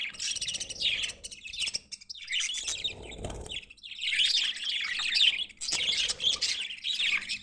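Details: Budgerigars, possibly in flight, chatter in a busy stream of scratchy, high warbles and quick chirps.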